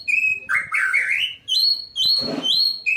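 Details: White-rumped shama singing to provoke other shamas into song: loud clear whistled phrases, some sliding and rising, others held steady and high, in rapid bursts separated by short pauses, with one rougher buzzy burst near the end.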